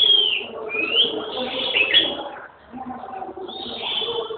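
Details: Red-whiskered bulbul delivering clear whistled phrases with sharp upslurs and warbling notes, a brief pause near the middle, then another bright phrase; soft low murmur underneath.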